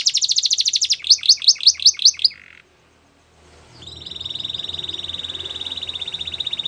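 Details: Russian canary training song: a rapid buzzy trill, a set of quick slurred notes, a short silence, then a long steady high rolling trill over faint background hiss.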